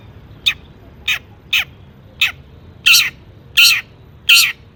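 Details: Long-tailed shrike singing hard to draw other shrikes into song: harsh, squawking, downward-sliding calls roughly every half second, growing louder and broader toward the end, over a faint low hum.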